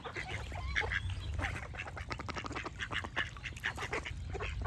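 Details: Ducks quacking in a busy chorus, short nasal calls overlapping rapidly throughout, with a few clearer louder quacks standing out and a steady low rumble underneath; smaller birds chirp faintly in the background.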